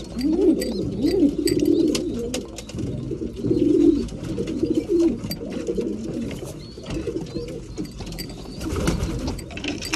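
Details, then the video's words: Pigeons kept for breeding, cooing at mealtime; bursts of warbling low coos in the first four seconds, then clattering taps and scuffling noise as the birds feed. "Breeding pigeons / mealtime"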